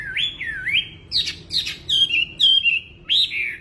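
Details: Wambi bird singing energetically, delivering looping whistled phrases that swoop down and back up, followed by sharp buzzy notes and long level whistles repeated in short bursts, with a faint low hum behind.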